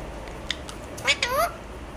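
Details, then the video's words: Alexandrine parakeet talking: two quick harmonic, wavering vocal phrases, the second sliding upward, after a few soft clicks in a quiet room. "চন্দনা টিয়া পাখির কথা শোনো"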